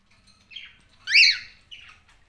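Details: Cockatiel calls in three parts: a soft rasping note, a loud harsh screech that rises then falls, and a fainter falling squawk at the end.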